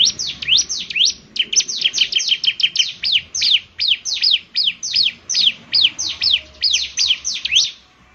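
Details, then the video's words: Bar-winged prinia (ciblek semi) singing nonstop: dense, piercing, downslurred chirps at high pitch, tumbling quickly at first, then spaced slightly more evenly, about three a second. "ciblek semi gacor, SEKALI putar saja ciblek semi PASTI ikut bunyi nyaut"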